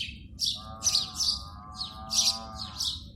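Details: Sparrow calling in the morning at its nest in India: sharp, high chirps repeated in quick bursts of two or three notes, over a steady droning tone and low background rumble.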